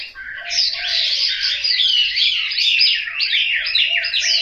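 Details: Chinese hwamei kept at home in Hanoi, Vietnam, in full song: loud, continuous, tumbling whistles and chattered phrases, with soft lower notes in the background.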